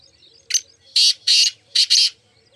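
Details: One complete black francolin phrase from a group of four: a short clipped note, then two long grating notes and a quick paired double note, all harsh and broadband.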